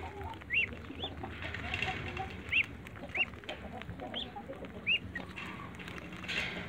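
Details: Muscovy ducklings in a backyard jump to eat eggs, calling with short high arched peeps roughly every half second to second, against a rough rustling background.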